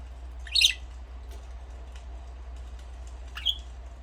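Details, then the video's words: Budgerigar chirping: a buzzy, chattering burst early on, then quiet, then a second shorter high chirp near the end, over a constant low hum. "Budgies parrot chirping sound"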